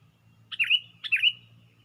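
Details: Sooty-headed bulbul perched on a twig and raising its wings: two short bubbly double notes, each a quick dip and then an upward flick, spaced about half a second apart, over a low steady hum.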